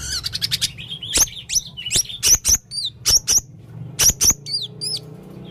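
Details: Male blue-crowned hanging parrot in full song: rapid high sharp chips and thin downslurred whistles, with short trills and strings of quick squeaky notes in irregular bursts, clear over faint low background hum.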